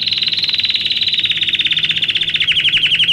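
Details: Domestic canary singing for training young birds: a very fast buzzy rolling trill, slowly falling in pitch, breaking into distinct clipped chirps near the end.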